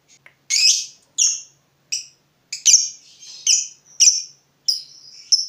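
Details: Lovebird fighter bird excited at spotting a rival, producing harsh squawking notes repeated roughly every half second to second, some with trailing whistled tails.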